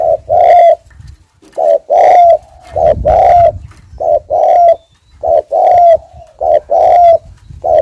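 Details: Spotted dove lure coo from a forest bird: deep soft coo notes grouped in short phrases, each phrase ending with a drawn-out slurred note, repeated steadily with brief gaps.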